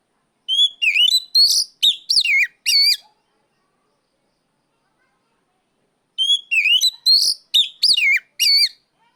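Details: Oriental magpie-robin, used to call out a rival, in two loud bursts of rich whistled notes, rising and falling sharply with buzzy overtones, about six phrases per burst, separated by a three-second silence.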